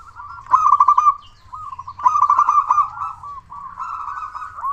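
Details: Zebra dove of local stock with a big voice, an eager singer played as a lure to stir other doves into calling. Three loud, bubbling, rolling coo phrases follow each other with short quieter gaps.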